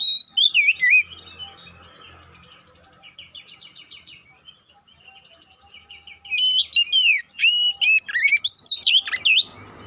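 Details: Oriental magpie-robin lure song intended to provoke fighting: loud sweeping whistles, a long quieter passage of soft trilled chatter, then an energetic run of varied whistled notes.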